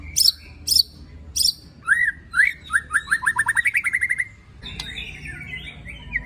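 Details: White-rumped shama in 'tembakan' and 'besetan' style song, played to rouse other shamas: three sharp high notes, then a fast repeated series of rising whistled chirps that speeds up, ending in a soft warble.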